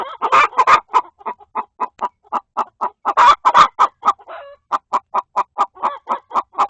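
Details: Chicken inside the coop fussing at a hen trying to lay an egg; busy run of clucks, mixing sharp loud squawks with steady repeated shorter notes.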